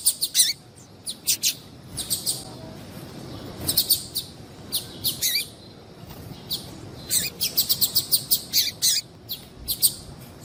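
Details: A female Yellow-bellied Seedeater (papa-capim) calls to attract males, giving short, thin, high chirps in quick bursts, sometimes doubled, repeated every half second or so over a soft background hiss.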